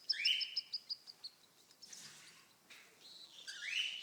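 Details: Three 28-day-old baby cockatiels out together with their parents, one chick still hungry; they give rising whistled calls and a quick series of high, sharp chips. Cockatiel.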